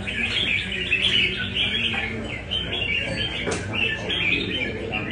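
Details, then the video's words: Red-whiskered bulbul from Nam Đông, in a light cafe singing practice in Da Nang, Vietnam; bright, quick warbled phrases, one after another, over a chorus of similar birds and low murmur. "Cb Nam Đông Test nhẹ cafe-Chào mào cafe"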